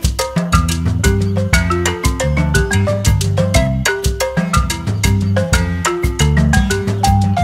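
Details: Lively salsa-style music with bright marimba or xylophone notes over a steady percussion beat; no animal sounds.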